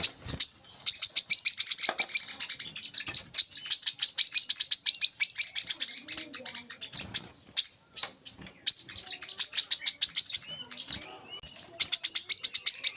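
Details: Olive-backed sunbird song for training young birds: repeated bursts of rapid high chirping, each lasting a second or two, separated by short pauses and scattered single notes.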